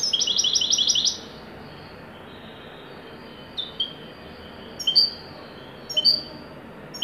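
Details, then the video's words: Moroccan goldfinch of the Widani song type opening with a rapid one-second trill, then falling quiet apart from scattered single high chirps spaced a second or so apart. "تغريدة طائر الحسون الويداني المغربي"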